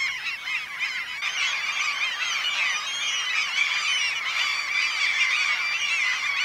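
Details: Breeding black-legged kittiwakes (Krykkje) in mid-May, Møre and Romsdal coast, Norway: a loud, continuous colony chorus of harsh, nasal, rising-and-falling calls from many birds at once, layered and overlapping throughout.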